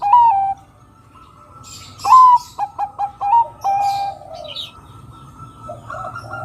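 A zebra dove coos in soft, rounded notes: a drawn-out opening, a quick run of short bubbling notes, then a longer falling coo. A steady low hum runs underneath.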